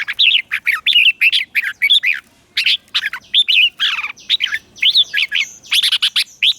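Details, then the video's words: Lure red-whiskered bulbul singing to draw wild rivals into a singing contest: a long, nearly continuous stream of sharp chirps and looping warbled notes, busy and energetic, with only short gaps between phrases. "CHÀO MÀO MỒI HÓT GỌI BỔI DỤ BỔI Bổi Yếu Cũng Về Đấu Tiếng chim mồi hót gọi đàn"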